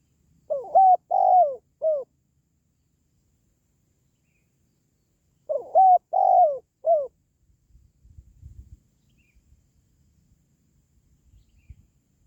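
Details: Spotted dove calling, a sound used to rouse pet doves or lure wild ones: two identical four-note cooing phrases about five seconds apart, soft hollow and low, followed by faint rustling and handling noise.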